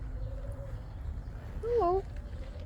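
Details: Kea at Willowbank Wildlife Reserve, Christchurch, in May 2025, flying to eat. One loud wavering call lasting about half a second dips and then rises, over low background rumble, with a fainter thin tone earlier.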